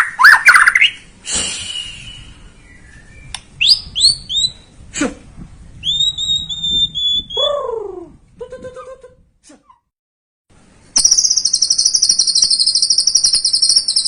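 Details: White-rumped shama lure song for stirring a young bird: a varied series of clear whistles, downward-sweeping notes and short phrases, a short silence, then a sustained high buzzy trill.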